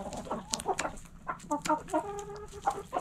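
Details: Backyard chickens in a coop, several hens clucking: short harmonic clucks and drawn-out nasal notes overlapping in a busy, chattering flock.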